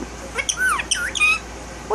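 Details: Pet male violet Indian ringneck parakeet, one year old and tail-less from biting it, talking indoors: a quick run of squawky, speech-like harmonic syllables sweeping up and down, with short gaps between bursts and a final rising note.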